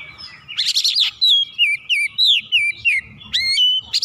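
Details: Heated oriental magpie-robin in full song, showing off its repertoire: an opening rush of scratchy chatter, then loud whistles repeated in quick succession that rise and fall, ending in high bright upslurred notes.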